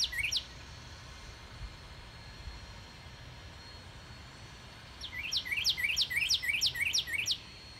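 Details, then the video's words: Yard cardinal in March, 2019: a brief whistled slur at first, then after a pause a rapid, evenly spaced run of bright repeated whistles lasting about two seconds, with distant low road noise. "Our Yard Cardinal Sings"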